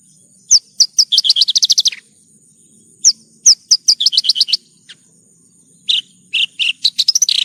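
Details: Masteran song of the branjangan (Horsfield's bush lark): phrases opening with high slurred notes that speed into dense chirping trills, repeated three times with short pauses.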